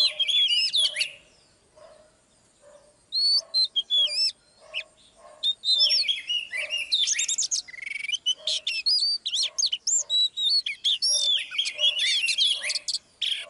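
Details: Oriental magpie-robin song with a female urging on a male: varied whistled phrases, sharp chirps and buzzy trills, a two-second lull near the start, then busy, overlapping song to the end.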